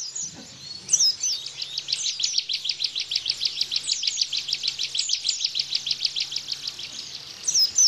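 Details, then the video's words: Bar-winged prinia bren-style 'tembakan' burst, used for tutoring caged white-eyes: a rapid rattling run of clipped high notes that speeds up mid-way, with occasional thin whistled flourishes at the start and end. "Tembakan Ciblek Bren"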